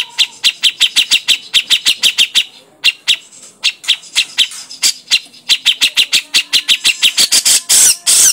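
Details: Sharp ringing chips from a grey-cheeked bulbul used as a lure, repeated rapidly and unevenly for several seconds, ending in harsher rasping notes.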